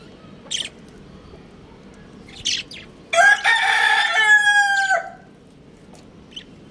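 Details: Rooster crowing: one long, loud, harmonic-rich crow lasting about two seconds that holds steady and then drops at the end, with short chirps from other birds before and after.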